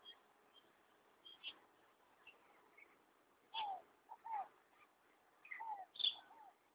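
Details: Hyacinth macaw living free on a small farm at Ilha Solteira by the Rio Paraná; a few short harsh calls with downward-sliding tones, spaced irregularly over quiet background.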